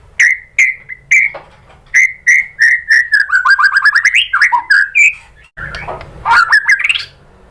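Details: White-rumped shama, used as a lure to provoke other shamas to sing: evenly spaced whistled notes, then a rapid descending series of chirps, rising sweeps and a scratchy burst near the end.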